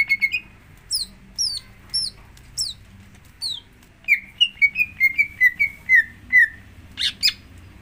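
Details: Greater green leafbird song played as a lure to prompt another leafbird to sing: sharp high notes, then a run of short whistled phrases near two kilometres of pitch that slide down, repeated about twice a second, ending in buzzy bursts.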